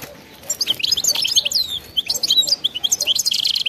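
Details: European goldfinch giving frenzied 'bitbita' wild-type song, a continuous stream of sharp, high, liquid chirps and twitters tumbling rapidly throughout.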